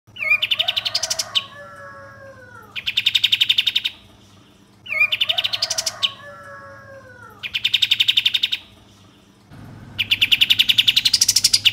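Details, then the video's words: Captive songbird used as a singing lure to make birds sing and fan their tails: bursts of rapid, buzzy high chattering trills about a second long, some opening with descending whistled slurs, separated by short pauses. "Pancingan Kapas Tembak Agar Bunyi Gacor dan Buka Ekor Tercepat"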